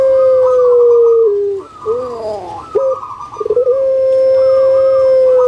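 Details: Pet puter pelung collared dove from Java, Indonesia, heard as a calling lure for lazy birds: a long drawn-out level coo, then a brief choppy gurgling break, then another sustained coo.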